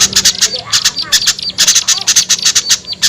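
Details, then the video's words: Small-bird lure call: irregular clusters of piercing high chips and a few short squeaky slurred notes, loud and choppy throughout. "SUARA PIKAT AMPUH UNTUK BURUNG KECIL SUSAH TURUN"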